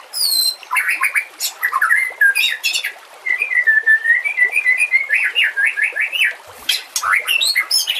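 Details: White-rumped shama song for training other shamas, with nature sounds and trickling water. A varied stream of looping whistles, with a long wavering run of connected warbled notes in the middle and sharp chips between phrases.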